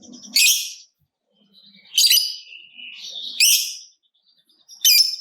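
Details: Lovebird in a 'ngekek' lure recording meant to stimulate other lovebirds: four harsh, high, buzzy chirps about a second and a half apart, with thin whistled notes in between.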